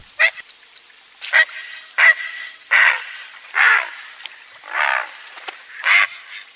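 Great Blue Heron giving seven hoarse, squawking croaks, each under half a second, spaced about one second apart; no other sounds.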